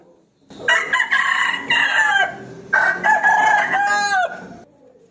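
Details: Challenging a rival, a rooster crows in two loud, rasping phrases back to back, the second ending in a falling tail.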